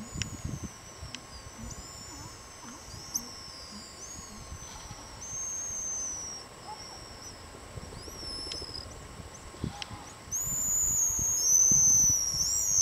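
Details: Pigeon guillemots calling with thin, high-pitched whistles: brief faint whistles early on, then a loud, sustained shrill whistle over the last two seconds. Soft low breathing and muffled rumbles sound in the background.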